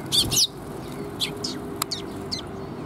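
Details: Sparrows coming to a feeding platform to be fed, 7 June 2021; loud, close, harsh high chirps, two quick ones at the start, then four or five softer chirps spaced apart, with a faint low hum.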